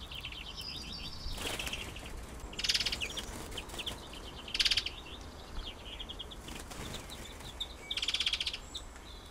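Greenfinches trade rapid, chattering twitters and short trills while squabbling, with loud bursts of wing flapping from landing birds every second or two.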